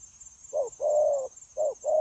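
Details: Trained decoy spotted dove for trapping, recorded 9 January 2024, utters quick coos: a short note, a long smooth level coo, then another short-long pair, with a continuous high whine in the background.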